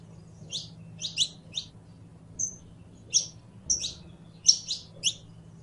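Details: Saffron finch song, local name canario criollo: quick doubled and tripled harsh sweeping chirps, a lone clear whistle, then rapid buzzy notes, over a low hum.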